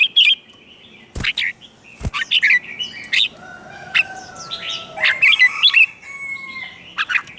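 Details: Red-whiskered bulbul song used to provoke competitive singing and train the voice: short, bright chirped and warbled phrases in quick bursts, with two sharp clicks early on and long, steady whistled tones running beneath.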